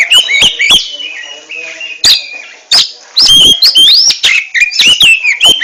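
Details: Oriental magpie-robin contest bird in ngentrok song: rich varied whistles with up-and-down slurs, broken by loud abrupt bursts and short pauses, building into dense twittering phrases.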